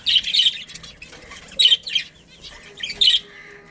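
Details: Budgies from a breeding family colony, making three scattered bursts of short scratchy chirps separated by quiet gaps, over faint background chatter.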